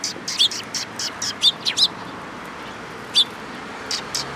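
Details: Eurasian tree sparrows at a Tenmangu shrine in Japan, recorded 14 April 2022. Sharp single chirps come in a quick cluster at the start, then a few spaced notes follow after pauses of up to a second and a half.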